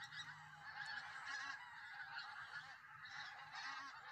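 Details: Dense clamour of goose honks from a big flock at the Solway Firth near Southerness, southern Scotland, swelling and easing in waves over a few seconds.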